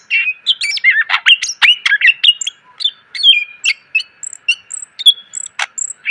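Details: Greater green leafbird song used as training material for cage birds, described as clear and full of varied fill phrases: a rapid, dense run of whistled slurs, sharp chips and high thin notes, over a steady faint hum.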